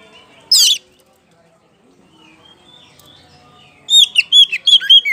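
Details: Kacer poci magpie-robin lure song, ngeplong style, meant to prompt other birds to sing: one sharp, high squeaky note, a quiet gap, then a rapid burst of high, chirpy, hooked notes.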